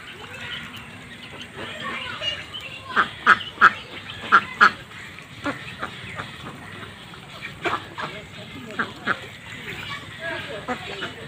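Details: Ducks kept on a farm pond quack in loose bursts: a run of four or five harsh, nasal quacks near the middle, then scattered softer quacks from several birds over constant background hiss.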